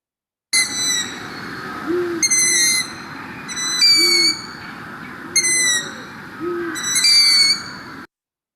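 Long-eared Owl giving high, nasal squeaks like air escaping a balloon, about five bursts in eight seconds, with a few soft low hoots underneath.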